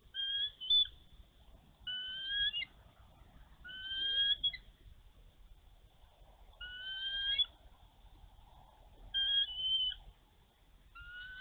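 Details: Bald eagle female at a snowy Minnesota nest defending her egg from a young intruder eagle, March 2023; spaced pairs of clear high whistled notes with a lower tone beneath, phrases every two seconds or so, quieter and more distant.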